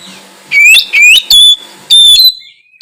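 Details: Oriental magpie-robin singing to encourage silent magpie-robins: a short run of four bright whistles, the first two sweeping upward and the later ones held level, over a faint background hum.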